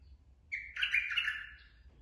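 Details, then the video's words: Straw-headed bulbul, a forest-caught adult: a brief clear whistled lead note breaks into a loud, rich, gurgling warble lasting about a second before fading, with faint low rumble behind. "merbah lekir bapak hutan"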